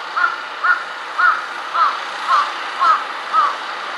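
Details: A jungle crow sitting on a wire and switching among four kinds of calls utters a steady series of seven harsh caws about half a second apart, over continuous background rumble.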